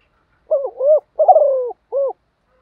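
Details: Spotted dove decoy cooing to provoke newly caught doves: a single clean phrase of two hollow rising coos, a long descending tremulous note, and a crisp last coo, all low-pitched against silence.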